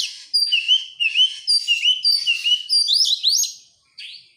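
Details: Oriental magpie-robin song serving as a lure to make other birds sing. Clear, sweet whistled phrases dip and rise in a steady rhythm, followed by quicker upward-slurred notes near the end.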